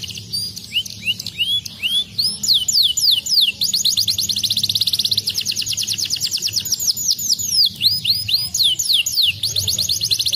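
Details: Canary song played to stimulate lazy canaries to sing: rapid series of bright up-slurred whistles, fast rolling trills and high sweeping notes, continuous and varied.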